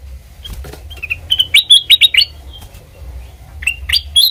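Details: Black-crested bulbul used as a trapping lure, delivering scattered slurred notes that build into a quick series of loud chirps, then fall quiet before a few final rising notes, with faint clicks.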